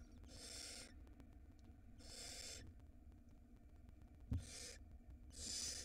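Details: Harsh drawn-out hisses come from a barn owl nestling swallowing a large rat, caught on a live 4K nest cam in Israel. Four bursts are spaced roughly every one and a half seconds, with a brief knock near the end.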